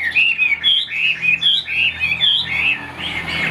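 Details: Chinese hwamei song: rounded, looping whistled phrases repeated a little more than once a second, each one rising and then dipping. A faint low hum runs beneath.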